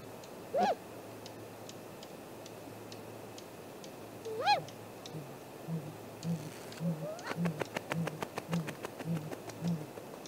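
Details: Morning nest visit by a great grey owl, 7:15 am, 2 April 2018, heard from the camera tree. Two arched whistled calls, then a burst of rapid clicking and soft low thuds.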